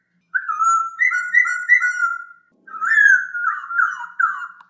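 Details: Masked laughingthrush whistling a smooth string of repeated two-part phrases, then a louder, more wavering run of slurred whistles; clean recording with no other sounds.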